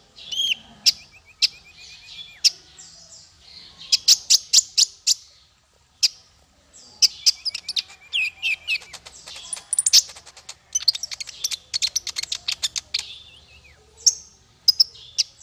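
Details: Bird song used as a training model for small fighter birds: rapid high twittering with bursts of quick repeated chips, brief silences, then renewed chattering, with faint low background hum.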